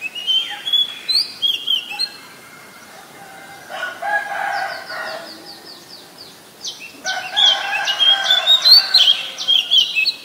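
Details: Wild Oriental magpie-robin in a loud, varied song: sweet whistles, a fast run of identical short high notes, harsher mid-pitched passages, then bright twittering warbles near the end.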